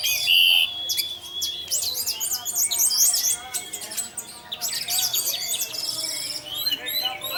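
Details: Orange-headed thrush in 'teler' singing, used to make other thrushes join in; opens with a pure steady whistle, followed by dense high scratchy chatter and rapid trilled phrases with brief dips.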